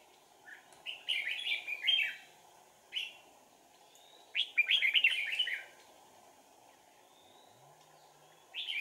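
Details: Decoy red-whiskered bulbul singing during a bird-trapping session on 4 April 2019. Bursts of rich warbled whistles alternate with pauses of a second or two. A constant mechanical hum runs underneath.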